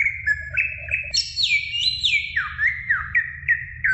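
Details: Greater green leafbird song, played to encourage juvenile birds to sing: clear whistled phrases that slide up and down, with sweeping drops and short repeated motifs over a low steady hum.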